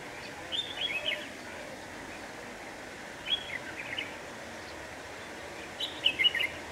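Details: Red-whiskered bulbul used as a lure bird for trapping, recorded 26 November 2018 on a windy day; short bright warbled phrases repeat about every two to three seconds over steady wind noise.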